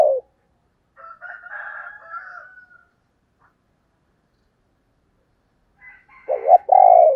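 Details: Female spotted dove calling in the 'thổ đồng' style, used as a lure for wild males; a brief loud coo opens, a soft warbled phrase follows, then a silent gap and two strong low coos close.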